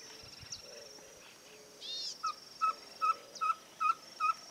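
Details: Ferruginous pygmy-owl, called caburé, in rural areas and groves of Santa Fe, Argentina, 2023, giving a series of soft notes: short, evenly spaced whistled toots about two or three per second. A brief chirping bird call comes just before.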